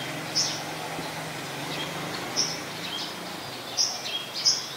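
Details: Olive-backed sunbird in a mangrove forest at the Sirinart Rajini centre, giving scattered, very high, brief chip notes, about four in five seconds, with a low steady hum and hiss beneath.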